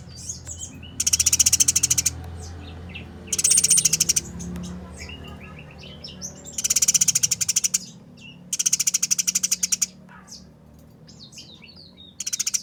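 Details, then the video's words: Eurasian tree sparrows fighting: five bursts of fast, coarse chattering pulses spread over about twelve seconds, with quieter squeaks and twittering notes in the gaps. "Burung Gereja Tarung Nyerecet Kasaran Speed Rapat Suara Jernih"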